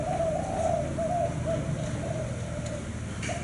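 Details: Spotted dove, described as a frequent cooer of the 'thái hậu 5' type, giving a run of low, soft, hollow coo notes in quick succession over a steady low rumble of background noise.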